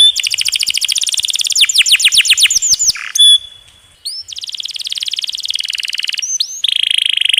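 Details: Canary master song with long rolls and added trickling water: fast descending trills and sweeping whistles, a short pause, then an even buzzy roll lasting about two seconds and a final lower, dense trill.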